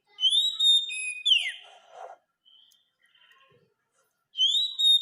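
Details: White-rumped shama song for masteran, a tutor recording for teaching caged birds to sing: clear, pure whistled notes at a high steady pitch, a long downward-sliding sweep and softer scraps, then a quiet gap before the whistle returns.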